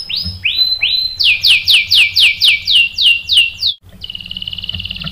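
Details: Canary singing as a lure to provoke answering song: three drawn-out rising whistles, then seven loud down-slurred notes at a steady beat, a brief gap, and a thin high even roll.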